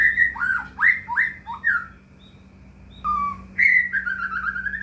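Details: White-rumped shama lure song meant to prompt silent or lazy caged birds to sing: rapid swooping whistled notes, a pause, then long wavering whistles sliding downward, over a faint steady hum.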